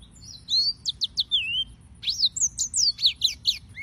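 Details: Yellow-fronted canary (Serinus mozambicus) singing: quick high whistled notes, downslurs and upsweeps, in two bursts separated by a short pause.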